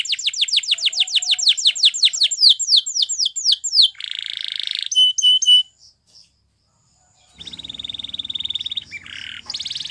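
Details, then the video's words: Canary singing a training song: a fast series of about twenty high, descending whistled notes, then a buzzy rolled trill, brief pips, a short silence, and more rattling trills with a low hum underneath. "Unexpectedly, The Sound Of This Canary Attracted Many Canaries To Song"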